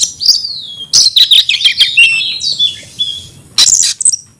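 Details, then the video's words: Oriental magpie-robin in aggressive fighting song: long whistled notes sliding down, then a burst of sharp clipped chirps and twisting phrases, ending with harsh broadband rasps. "kacer gacor tarung ngotot agresivitas bikin dongkrak emosi bongkar materi"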